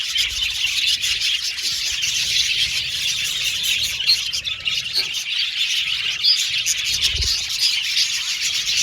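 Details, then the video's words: Budgerigars in an aviary colony, a dense unbroken wash of high chirps and squeaky warbles from many birds at once, with a few brighter whistled notes standing out near the middle and end. "Budgies Chirping Sound"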